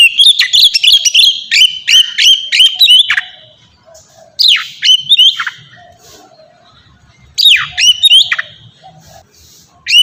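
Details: Ngeplong song of an Oriental magpie-robin, a melodious style played to coax young birds into singing: rapid clear whistles and sharp downslurred notes in three bursts separated by quiet gaps.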